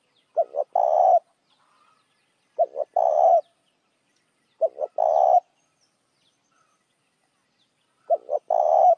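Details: Spotted dove giving its lure call for other doves, four phrases spaced about two seconds apart. Each is two brief, punchy notes and then a longer, level, husky coo, with no other sounds.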